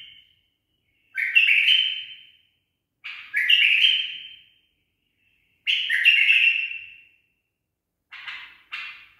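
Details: Tame bulbul singing a barwaz phrase: three clear, sweeping whistled notes spaced roughly two seconds apart, each fading gradually, followed by shorter raspy chirps.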